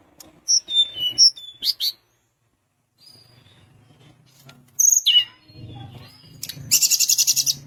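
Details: Sunda minivet singing strongly to provoke rivals: thin high whistles and chirps in quick clusters, a pause, a descending slur, then a rapid buzzy series of about ten high pulses.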